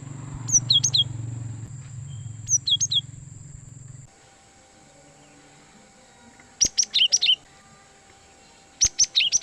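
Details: Cinereous tit (gelatik batu) lure recording for attracting wild birds: short groups of two or three sharp, high, falling whistled notes, spaced a few seconds apart, over a low hum and faint background hiss.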